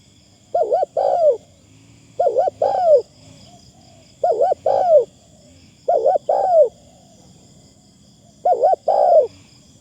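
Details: Spotted dove kept as a decoy to lure wild doves, calling steadily: five phrases of two low hooting coos, repeated roughly every two seconds, the second coo longer and falling, over soft background hum.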